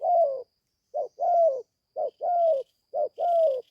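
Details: Spotted dove, a young bird freshly calling during its first forest training, gives rapid repeated low coos, a short note then a long falling one, about once a second, with a faint higher chirping in the background.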